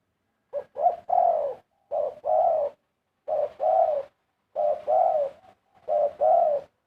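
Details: Zebra dove giving its song in quick succession, five phrases in under seven seconds, each a short clipped note or two then a longer mellow descending coo, one phrase ending with a soft trailing note.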